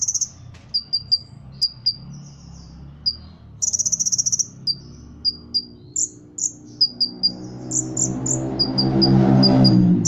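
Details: Competition-trained Ruby-cheeked sunbird from Cililin with cricket-mimic song: thin high chips, slurred whistles and pulsed buzzy rattles; a loud broad rushing noise swells during the last few seconds and partly masks the bird.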